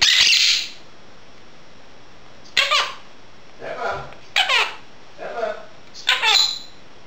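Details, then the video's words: Female pet Quaker parrot vocalising indoors during dishwashing; a hissy burst opens, then clipped, squeaky speech-like syllables follow at short intervals. "Quaker parrot talking"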